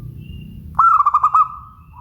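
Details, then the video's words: Song of a local zebra dove: a single bright phrase of roughly six rapid pulsed coos on a steady pitch, ending in a drawn-out fading tone, with low rumbling noise beforehand. "Suara Bening Burung Perkutut LOKAL"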